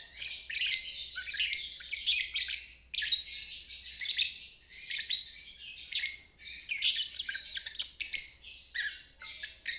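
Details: Lovebird in ngeriwik style, a long rapid chattering trill, played to help birds that have stopped singing and young birds learn: dense high scratchy trilled phrases of two to three seconds, broken by brief pauses.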